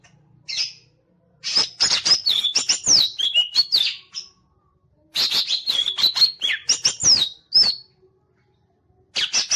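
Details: A green leafbird fanning its tail while singing pours out fast, high chattering phrases of whistles, squeaks and harsh notes, in bursts of two or three seconds with short pauses between.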